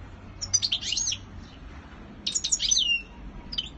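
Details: A European goldfinch performs its courtship display, delivering two rapid, tinkling twittered phrases of high chirps and buzzy slurred notes, with a short quiet gap between them and a faint low hum behind.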